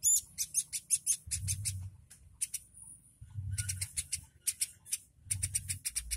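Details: A highly vocal woodpecker, recorded as a tutor for training other birds, gives bursts of sharp, high, clicking chirps in quick runs separated by short pauses, over a low steady rumble in the background.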